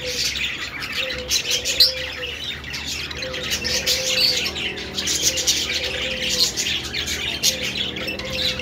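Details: Steady chirping and twittering from many Australian parakeets, a thick mix of short squeaky notes, over a soft low note that repeats at intervals.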